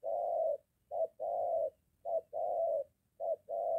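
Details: Close, full-toned cooing of a spotted dove, a decoy in moult trained near the house meeting a wild bird; long level notes alternate with short clipped hoots in a steady rhythm.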